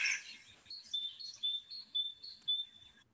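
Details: Great tit song in early spring, a clear two-note phrase of high thin whistles repeated about five times, alternating a higher and a lower note, with faint other bird calls behind.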